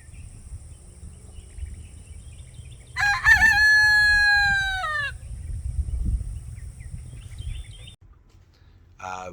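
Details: A young rooster, just starting to crow for the first time, gives one rich, two-second crow that holds steady then dips at the end, outdoors in a blooming garden on a Sunday morning, over low rumble and faint high whine.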